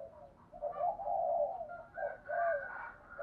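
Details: Spotted dove coos meant to prompt other doves to coo: low, drawn-out hollow notes in a reverberant, noisy recording with faint higher tones behind.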